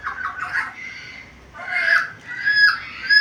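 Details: Talking black-capped lory with a varied repertoire. Warbling, wavering, mid-pitched tones run in two phrases separated by a brief lull, then end in a higher, thin whistled note.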